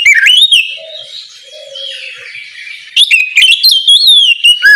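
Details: Oriental magpie-robin in full morning song to stir other magpie-robins to sing: a loud wavering whistle fading into softer notes with two low hummed tones, then a rapid sequence of bright, emphatic whistled phrases.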